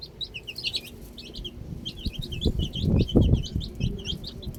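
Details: Baby chicks outside chirp busily: dense strings of bright, high, downslurred peeps, several per second and overlapping, accompanied by low thuds and scuffling noises that peak around the middle.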